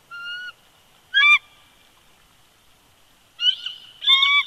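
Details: Bald eagles at a winter nest at Big Bear Lake, California, in February 2020, giving scattered thin, squealing notes with long silent gaps: a steady whistle, a short squeaky burst, then two more wavering squeals near the end.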